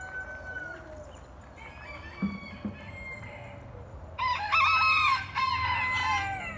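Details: At a retreat center in Geyserville, California, where a peacock displays, a rooster bursts into a loud, harmonically rich crow near the end, after quieter stretches with soft low clucks and faint distant calls; chicken.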